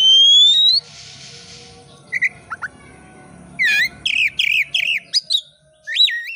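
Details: Oriental magpie-robin, a caged bird, singing as a lure for other birds: a long rising whistle, then scattered chips and a run of rapid wavering, modulated whistled notes in quick succession.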